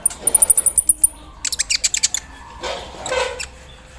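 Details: Javan sunbird (kolibri ninja) put out in morning dew: a rapid machine-like string of high ticks, then a burst of louder scratchy notes and a brief rustling noise.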